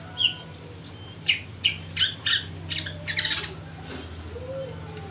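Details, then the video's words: Burung gereja, the Eurasian tree sparrow, chattering lively: a thin high note, then a string of short, harsh chirps spaced under half a second apart, loosening into a brief jumbled burst, with a constant low background hum. "GACOR SUARA BURUNG GEREJA"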